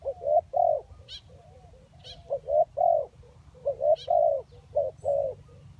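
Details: Spotted dove coos for luring, from crossbred and village doves. Soft, hollow two- and three-note coos repeat steadily. Sharp high chirps from other small birds cut in now and then.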